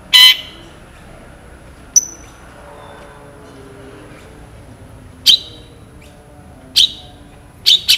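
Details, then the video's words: Long-tailed shrike in full song, described as clear with sharp, long 'shots': a few short, harsh, high chattering bursts spaced by seconds of near-quiet, with a lone thin whistle-like note near the two-second mark. "CENDET GACOR FULL ISIAN ASLI SULTAN LAGU MEWAH TEMBAKAN TAJAM PANJANG JERNIH"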